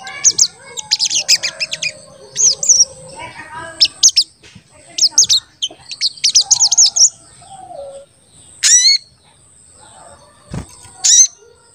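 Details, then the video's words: Crested jay (sogon) in active voice, recorded as a lure for other sogon: tight bursts of high, jittery chirps alternating with short pauses, a few lower warbled notes beneath, and a sharp click late on. "Pancingan Sogon Agar Bunyi dan Emosi"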